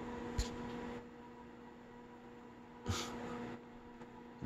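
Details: Steady electrical hum fills a small room, broken by a few short thumps and a soft breathy noise, with no animal voice.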